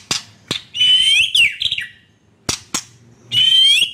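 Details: White-rumped shama song for prompting caged birds to sing and for therapy of a non-singing bird: sharp clicking notes and rich whistled phrases, with faint low background hum.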